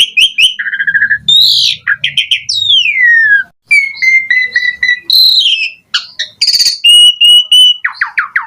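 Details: Asian pied starling in lively full song rich in varied fill-in phrases, pumping while singing, used as a master recording for training starlings: fast sequence of clear whistles, sweeping descending slurs, steady flat tones and dense chattering bursts, with a faint low hum.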